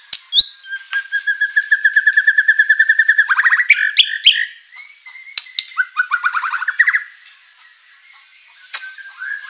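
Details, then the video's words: Vigorous white-rumped shama song packed with imitated material, played as a lure for rival birds; a long steady trill of fast repeated notes for about two seconds, then varied bursts of rising chips and rattles, then quiet. "MURAI BATU GACOR full isian materi mewah"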